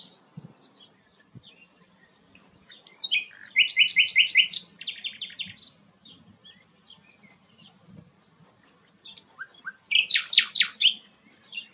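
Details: Sikatan londo flycatcher, a bird used to tutor magpie-robins, giving soft high twitters broken by two loud bursts of quick repeated buzzy chirps, the first lasting about a second, the second shorter near the end.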